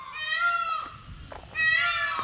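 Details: An Indian peafowl at a village homestay in Sri Lanka gives two loud, nasal, wailing cries about a second apart, each a harsh cat-like yowl with a falling end, over a faint background murmur.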